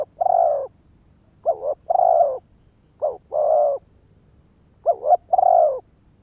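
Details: Spotted dove used to entice wild males, cooing four phrases: a quick wavering note then a held low coo, repeated at irregular gaps of about 1.3 to 1.6 seconds, no background sounds.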